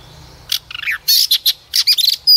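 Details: Female white-rumped shama singing to stimulate a male to sing: after a quiet start, loud clipped chirps and short rattling notes in quick bursts, ending in a high thin whistle, with a faint low hum beneath.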